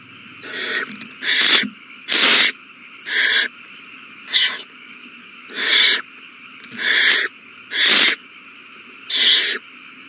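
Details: Owl chicks eating a big meal, March 27 2020, giving about nine raspy hissing bursts in an uneven rhythm, a few louder and brighter, with steady low hum throughout.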